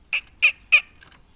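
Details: Tame black-naped oriole in Java, a lively caged singer, uttering three rasping, nasal squawks in quick succession about 0.3 seconds apart, followed by a faint softer note, with little background sound.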